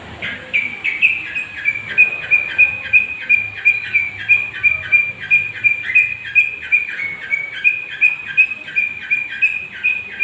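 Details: Young Long-tailed Shrike of the 'gondrong' type, singing actively as a lure meant to provoke other birds: a steady run of short, high, clipped notes repeated about three times a second on an even pitch for ten seconds.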